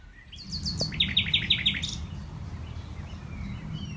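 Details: Common Nightingale at Knepp rewilding project, West Sussex, May 2018, heard from a tree platform as it starts singing again: a fast burst of repeated, sharp whistled notes lasting about a second and a half, then quiet, over low rumbling background noise.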